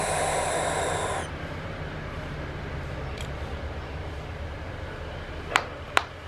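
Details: Barn owl giving a harsh, hissing screech for just over a second, a broad rasping noise with no clear tune, followed by quiet background hum and two sharp clicks near the end.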